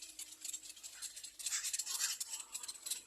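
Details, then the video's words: Little egret chicks in a nest beg loudly for food with harsh, scratchy rasping chatter in rapid bursts, loudest in the middle, with no other sounds. "Baby bird little egr screaming for food"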